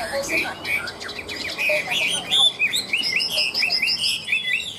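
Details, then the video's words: Chinese hwamei in a cage, ngũ trường song style, pours out a bright, varied stream of clear whistled notes, then a fast series of repeated upward-curving slurs, loud and ringing. "Họa mi ngũ trường, hót cao cầu"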